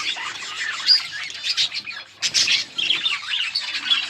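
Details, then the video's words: Yellow budgies chatter on August 20, 2024. Busy high chirping and warbling is broken by a short quieter pause near the middle, then the twittering resumes. "Beautiful yellow budgies chirping sounds 💛 budgies talking"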